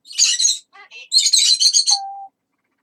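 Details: Talking parrot in a long chattering bout: rough, breathy phrases resembling mimicked words, a few softer tonal syllables in between, ending with a short, steady, low whistle.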